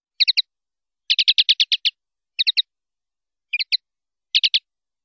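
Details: Common linnet in 'pardillo limpio' song from a 2019/2020 CD: a quick three-note twitter, then a fast run of about eight notes, followed by more brief three-note groups, all on a silent background.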